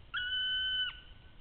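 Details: Black woodpecker in Latvia, recorded 8 August 2013 at 09:45: one long, level, plaintive note held for about three quarters of a second, then a quick drop at the end, over a faint low rumble.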